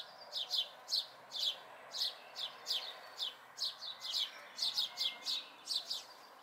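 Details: May 2020 recording of local house sparrow fledglings: insistent, high, down-slurred chirps in steady pairs and triplets, nearly continuous over six seconds, over even low noise.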